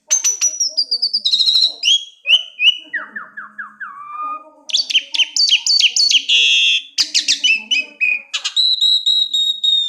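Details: Sweet, varied birdsong: fast repeated chips, descending whistled series and buzzy trills in quick alternation, loud and clear against a quiet background.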